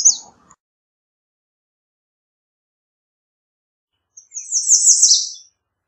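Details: American redstart giving a single high, rapid phrase of tightly repeated notes near the end, after a brief fragment at the start and a long silent gap.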